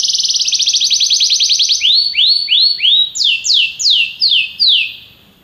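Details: Belgian canary song meant to make other canaries sing, opening with a rapid rattling trill, then slower series of rising-falling swept whistles about three per second, fading at the end.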